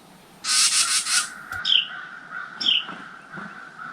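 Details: Carolina wren adults alarming at crows outside a tent near their nest of chicks in a motorcycle helmet: a harsh, raspy churring burst, then two sharp down-slurred chip notes about a second apart, over a faint steady hum.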